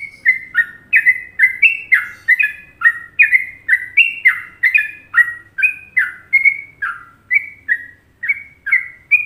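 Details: Sooty-headed bulbul from Indonesia singing a popular Trucukan-rhythm masteran tutor song: a steady run of bubbly, liquid two-note phrases, each note sliding down or up, repeated about twice a second without pause. The background is quiet.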